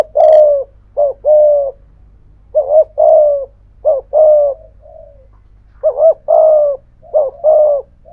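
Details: Spotted dove, a decoy bird with a 'thổ pha thúc' voice giving bowing coos against a wild dove: low hoarse coo notes in pairs and short bursts with brief gaps, one faint note mid-sequence, steady low hum beneath.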